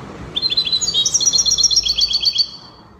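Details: European goldfinch singing in the Spanish copia style, from Morocco: a rapid series of bright, tinkling notes rising in steps, repeated about four times a second for roughly two seconds.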